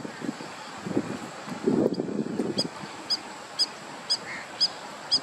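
Egyptian goose giving low, hoarse, breathy calls, then a steady series of sharp, ringing honks about twice a second.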